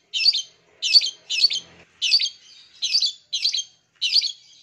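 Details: Long-tailed shrike sound used to stimulate silent caged birds: seven harsh, buzzy, scratchy bursts at irregular intervals of roughly half a second to a second, with no other sounds.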